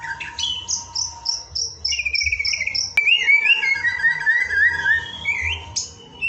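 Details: White-rumped shama song from a popular 2023 training recording for caged birds: a fast run of short repeated whistled notes, then long rising and falling slurred whistles, with a steady faint hum beneath and one sharp click midway.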